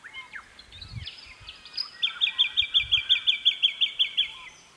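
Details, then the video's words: Jacky Winter singing around 9 to 9:30am in early September 2018, early spring, on restored, tree-planted land in the Capertee Valley, NSW: quick sweeping whistles, then about a dozen bright identical notes, four a second, over faint low thumps. "a Jacky Winter sings"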